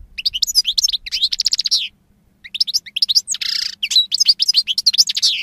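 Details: Goldfinch song delivered as fast bursts of twittering chirps, a brief silence midway, then a harsh buzzy rasp among more tinkling notes and trills, with a faint low hum.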